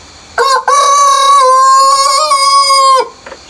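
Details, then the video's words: Rooster crowing in the early morning before sunrise in the countryside: one loud, drawn-out harmonic crow of about two and a half seconds, opening with a short note and a brief break, then holding a steady tone before it drops away. "EARLY MORNING ROOSTER CROWING BEFORE SUNRISE"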